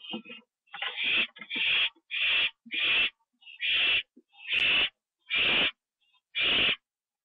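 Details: Nest owl on the evening of 24 September 2011, 7:39 PM, after a treat is delivered and eaten on the roof; loud raspy hisses about a second apart, around eight in a row, starting with softer scratchy notes.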